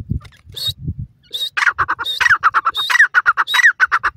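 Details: Francolin call: a rapid series of harsh, squawking notes repeated several times a second, with rising accented notes among them, preceded by low rumbling sounds.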